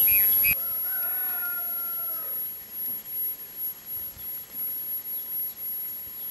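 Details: Crested oropendola, known in Brazil as japu, a bag-nesting weaver bird: a loud liquid gurgle opens, then two long descending whistled notes slide downward for about two seconds, followed by steady background hiss.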